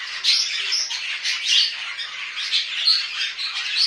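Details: Budgerigars kept at home giving a continuous high-pitched warbling chatter, with bright chirps and short squawks rising and falling in loudness every half second or so.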